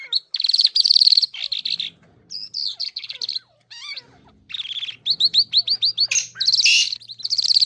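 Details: Irani king jal in full song, mixing scratchy buzzy phrases, squeaky upslurred whistles and rapid repeated chips; a faint low steady hum runs beneath the second half.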